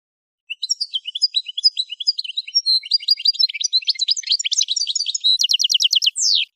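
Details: Extended song of an Algerian goldfinch, subspecies parva, from Kef El Hammam, Souk Ahras, Algeria: varied twittering and chattering phrases building into a rapid trill of repeated notes, closing with a long downward-sliding whistle. Quiet background.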